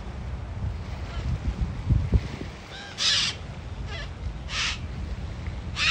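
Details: Group of yellow-crested cockatoos, non-native and likely released pets, met on a hike along Changi Beach, Singapore, giving four harsh, raspy screeches about a second apart over low rumbling background noise.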